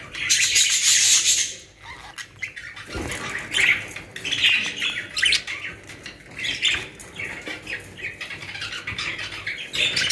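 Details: Australian parrots, budgerigars kept in a home aviary in Pakistan, giving busy chattering: shrill chirps and scratchy warbles tumbling over each other several times a second, with a thump near the middle.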